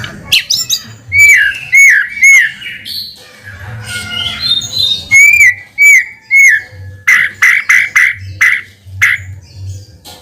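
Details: White-rumped shama lure song played to provoke a response: loud, varied phrases of rich looping whistles repeated in short runs, then rapid bursts of sharp chattering notes, with faint low hum behind.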